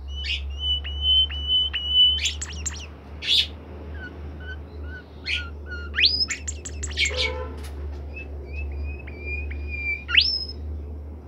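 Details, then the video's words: Caged bimoli bird in full, nonstop song. Long, steady, level whistles alternate with quick, sharp rising and falling chirps, over a persistent low electrical hum. "fuul gacor burung bimoli"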